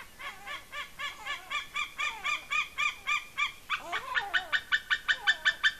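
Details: On a Smola, Norway nest cam on 7.12.18, an eagle squees excitedly while feeding on a delivered fish. Strings of bright, harmonic piping notes come in quick succession and grow louder and faster toward the end.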